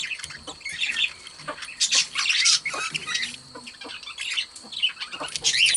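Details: Two pet budgerigars chattering; continuous high, scratchy warbling with short squawks and chirps, rising and falling in bursts with no long gaps.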